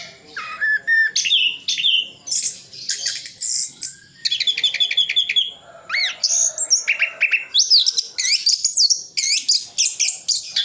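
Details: Orange-headed thrush singing an isian full song from Sidoarjo, East Java, used to tutor contest birds: a continuous stream of varied whistles, upslurred notes, quick rattling trills and squeaky phrases, nearly without pause.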